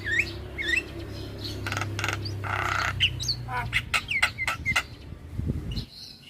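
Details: Starling song used as a lure and training recording to get birds singing: varied rising whistles mixed with harsh rasping bursts and clicks, busy and uneven, over a steady low hum.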